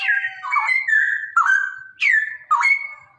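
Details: Straw-headed bulbul male singing the rolling 'ropelan' song used to prompt other cucak rowo to sing. Unbroken, rich whistling with sliding notes, punctuated by sharp upward swoops every half second or so.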